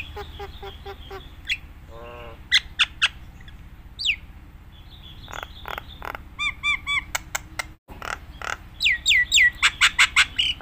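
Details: Nias hill myna in full lively song, used to train other mynas: a varied mix of rapid clicking chips, short whistles, nasal harmonic notes, sharp downslurred whistles and harsh squawks, with a low steady hum beneath.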